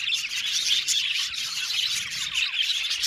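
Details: Group of caged budgies producing a continuous busy warble of high chirps, with quick downward-sliding chips and small whistled notes scattered through the flock noise.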